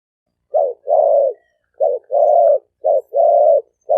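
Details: Male spotted dove calling for females in a steady rhythm, alternating a short coo with a long drawn-out coo about once per second, low and mellow, with no other sounds.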